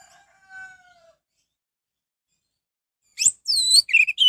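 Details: Orange-headed thrush singing to draw other orange-headed thrushes into song: a faint soft tone, then quiet, then about a second of sharp, fast, varied chirps and whistles.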